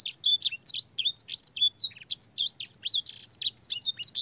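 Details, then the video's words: Young-canary training song in a clear voice, with blackthroat and sanger phrases. It runs as a fast warble of shrill curving whistles, broken by two brief buzzy rattles, over a faint low hum. "burung kenari gacor panjang full isian blackthroat dan sanger suara jernih masteran kenari paud"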